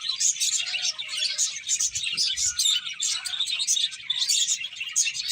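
Several finches chirp continuously, a dense chatter of high, short twittering notes overlapping one another with no pause.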